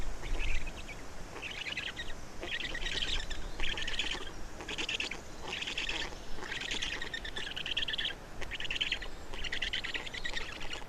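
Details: Black stork nest feeding in Estonia, 27 May 2019: around ten wheezy, rattling bursts spaced about a second apart, with a low rumble at the start.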